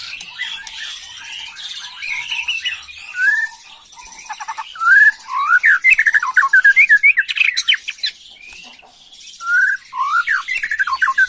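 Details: White-rumped shama singing agitatedly in the 'macul' style, used to provoke young birds: dense, varied bursts of rapid chattering notes and rising and falling whistled slurs, with a loud run of quick repeated phrases mid-clip and high buzzy overtones throughout.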